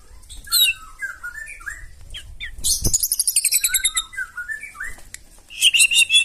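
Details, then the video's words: White-rumped shama singing loudly to trigger other birds to reply, with slurred whistles, a rapid trill of repeated high notes in the middle, then more whistles and a harsh burst. "KICAUAN MURAI BATU NEMBAK KASAR AUTO NGAMUK SEKALI DENGAR LANGSUNG NYAUT"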